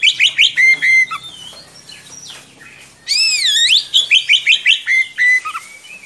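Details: Long-rolling song of an Oriental magpie-robin kept as a tutor for young birds: rapid repeated chirps and a flat whistle, a brief lull, then looping swooping whistles followed by a steady string of quick rising notes.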